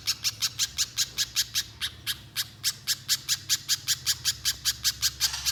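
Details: Lure song of a little spiderhunter (pijantung pisang) in nonstop 'gacor konslet' style, to make other spiderhunters sing long: high harsh notes in rapid regular series, briefly faltering midway before resuming.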